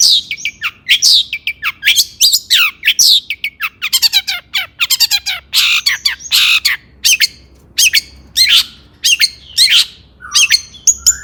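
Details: Long-tailed shrike (cendet) singing with agitation, played to stir other shrikes into song: rapid series of scratchy descending notes and harsh chatters, followed by spaced, sharp squawks.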